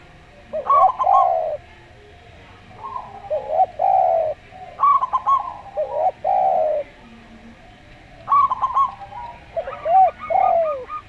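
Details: Local zebra dove with a slow, calm singing style, paired with a Javan derkuku. Clusters of short staccato notes lead into arched, falling coos. Phrases come in bursts about every two to three seconds.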